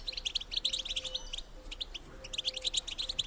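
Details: European goldfinch female calling meant to stimulate males to mate; dense, quieter high chirping in two long runs, with a faint steady low hum underneath.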